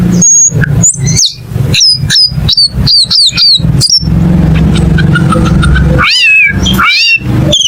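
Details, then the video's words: Cucak keling repeating clear whistled notes in quick succession, then looping rising-and-falling whistles, over a constant low engine-like rumble. "MP3 BURUNG CUCAK KELING"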